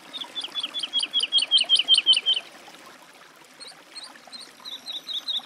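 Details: Woodlark song phrase of rapid, loud, repeated fluty notes lasting two seconds, followed by a pause and a softer, quieter run of similar whistled notes starting up again.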